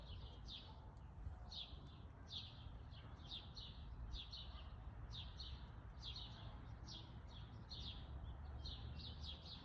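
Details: Backyard feeder in Calgary, Alberta, June 27, 2021, early afternoon: a male Downy woodpecker gives a run of brief, sharp, high-pitched notes, roughly two per second, against constant low background rumble.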